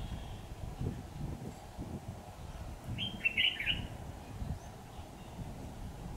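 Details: Red-whiskered bulbul decoy ('mào đinh lân hầu bò') at a trap, 28 September 2019. Mostly low background rumble, broken midway by one brief, sharp, jumbled warble of high whistled notes.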